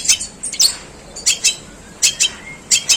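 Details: Long-tailed shrike imitating sparrows with harsh delivery. Sparse pairs of sharp, rasping chirps are separated by short quiet gaps.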